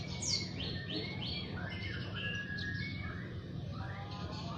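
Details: Young white-rumped shama learning to sing and opening its beak: varied bright whistled phrases and short rising and falling notes, some slurred, over a steady low hum.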